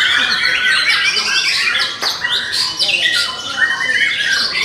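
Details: Young forest-caught white-rumped shama whose repertoire is said to cover sounds of all of nature; loud, dense run of varied whistled and chattering phrases, high and quickly changing, with overlapping notes and a brief sharp click near the middle.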